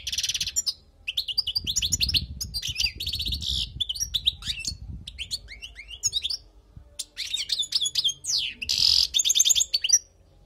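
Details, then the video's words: Wild European goldfinch singing, used for tutoring: rapid, varied, bright twittering and tinkling notes in dense bursts, with buzzy trills and short pauses between phrases, faint low rumble beneath. "تغريد حسون خلوي للتعليم"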